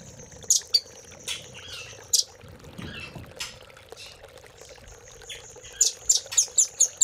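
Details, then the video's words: Velvet-fronted nuthatch, a master recording for training caged songbirds in the Cililin filler style: sharp, very high chipping notes scattered at first, then a quick run of six bright notes at the end, over a steady low hum. "RAMBATAN GACOR ❗️Isian Cililin❗️Masteran Rambatan Paruh Merah"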